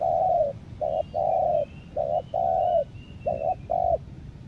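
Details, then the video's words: Spotted dove, a tekukur kept as a lure for wild birds in Lombok, cooing steadily. A long note opens, then doubled short notes each answered by a drawn-out coo, about three cycles, over light hum. "PIKAT TEKUKUR"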